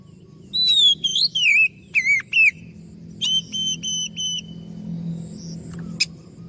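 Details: Oriental magpie-robin song used as a lure so other birds answer: loud whistled notes sliding and dipping, then short high whistles repeated at a steady pitch, with a low hum underneath.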